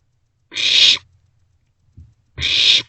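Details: Barn owlet in a nest box after 1:47 am on 27 March 2024, begging while owlets pass a vole: two drawn-out rasping hisses nearly two seconds apart, a faint tap in between.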